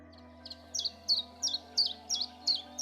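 Common Chiffchaff singing a steady run of high, sharp 'chiff-chaff' notes, about three per second, over a faint low hum.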